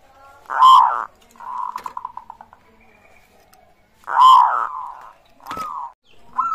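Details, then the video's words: Zebra dove singing as a lure to get other birds calling: loud cooing bursts, each followed by a rapid run of soft pulsed notes, repeated twice. "pancingan burung perkutut gacor suara disukai bikin cepat bunyi langsung nyaut manggung gacor"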